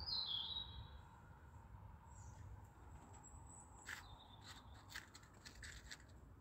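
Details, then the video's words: Stonechat calling: a thin, high whistle that falls in pitch at the start, then a loose series of sharp, dry clicking ticks spaced about half a second to a second apart, over low rumbling background noise. "Taşkuşu sesi sonido de pájaro de piedra صدای پرنده سنگی"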